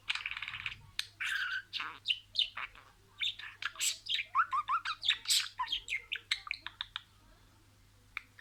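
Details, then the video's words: Domestic budgerigar imitating spoken words: a buzzy opening phrase, then a fast run of clipped, chirpy syllables that fades into quieter chatter, over a faint low hum indoors. "SIRALI KELİMELER, MUHABBETKUŞU SESİ,MUHABBETKUŞU KONUŞMA SESİ DİNLE"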